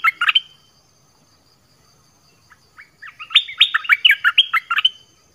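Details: Nok dok taeng, a Thai-named bird, singing varied song phrases: a short pair of loud whistled notes, a quiet gap with scattered soft notes, then a long, fast run of ringing, slurred whistles.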